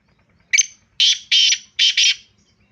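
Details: Black francolin, described as a pure-bred Sindhi bird, calling loudly: one sharp opening note, then two quick pairs of harsh, grating notes in a clipped rhythm, with silence behind.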